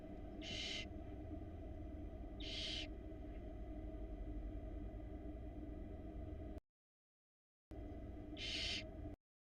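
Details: Barn owl nestling on a Florida nest camera, 2022 season, struggling to swallow a huge rat: three harsh, breathy hissing bursts, each under half a second, over a steady low hum, with two short dropouts of silence.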